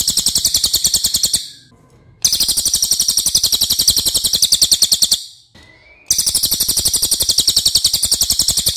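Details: Cililin, a songbird known for a loud, long voice, singing masteran: three long bursts of fast, sharp, high-pitched buzzy notes, separated by short quiet gaps with faint background noise.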